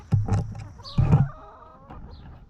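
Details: Free-range hens feeding on treats in a farm yard; two loud close low clucks about a second apart, followed by fainter trailing notes and quiet surroundings.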